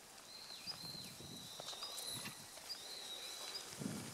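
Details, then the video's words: Male long-tailed rosefinch giving its call on 29 December 2013: thin high whistled notes, some sliding downward, repeated several times against steady background hiss with a few soft low thumps. "ベニマシコ "Uragus sibiricus" の鳴き声（雄・地鳴き）"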